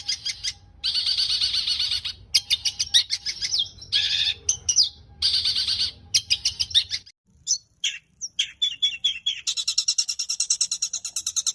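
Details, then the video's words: Long-tailed shrike singing a varied medley for tutoring caged birds: buzzy trilled bursts and chatters, then a pause and a fast run of regular sharp repeated notes, with low hum at first. "Burung cendet gacor full isian cocok untuk masteran Dan Terapi cendet Macet bunyi Agar Gacor"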